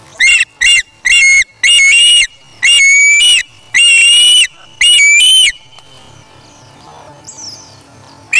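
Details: An osprey chick at the Charlo nest on August 3, 2017, having taken a fish from its parent, utters a rapid run of loud, piercing whistled notes, then falls quiet with faint background sound.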